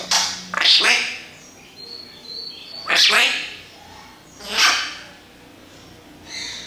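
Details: Parrot mimicking human speech: three short, breathy, voice-like bursts spaced a couple of seconds apart, with faint high whistles between them.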